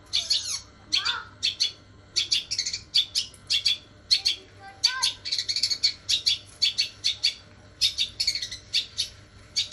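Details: Long-tailed shrike delivering a 'sambung kunti' song stuffed with gereja (sparrow) imitations: bursts of sharp high chirps in quick clusters, separated by brief pauses, with a few lower squeaky notes mixed in.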